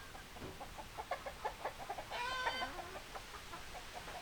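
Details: Farm chickens clucking in a loose series of short, clipped notes, broken midway by a half-second nasal, harmonic squawk that dips in pitch, then more scattered clucks over a low background hiss.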